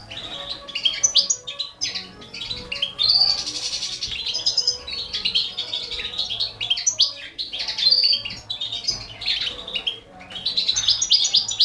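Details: Balkan goldfinch feeding four baby canaries: dense high chirping and twittering in bursts, with louder peaks around three, eight and eleven seconds, many thin notes overlapping.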